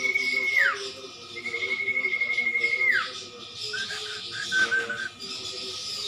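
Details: Common iora, known locally as cumpon or sirtu, singing in a training recording: long level whistles, one held about two seconds, each ending in a quick downward slur, then short chirpy notes over a steady hiss.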